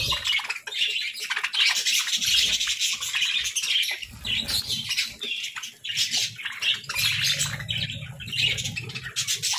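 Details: Nonstop, loud warbling from companion parakeets, a tangle of high chirps and scratchy notes, with a low hum audible late in the recording.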